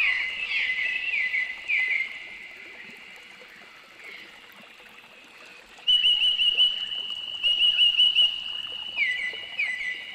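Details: Noisy miner in Australia giving bursts of short, sharp, repeated chipping notes in quick runs, loud then quieter, over a steady high ringing background.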